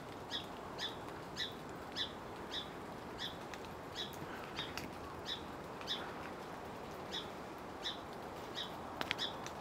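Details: Song sparrow (Melospiza melodia) alarm call at a Western Screech Owl hidden in a spruce amid salmonberry thicket: sharp, high chip notes about twice a second in a steady series, over a constant background hiss.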